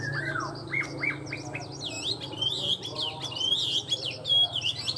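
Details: A tame hwamei sings in captivity: a few falling slurred whistles, then a quick, varied series of loud, bouncing, warbled notes and trills high in pitch.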